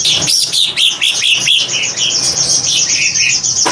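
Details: Greater green leafbird (cucak ijo) pouring out a fast, chattering song of quick high chirps and slurred whistles, about four notes a second, over a steady high hiss.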